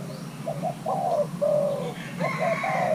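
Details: Thai crossbreed spotted dove, young male in pairing, gives short throaty coo notes, one drawn-out, ending in a clipped double note, while a thin higher whistle from another bird overlaps.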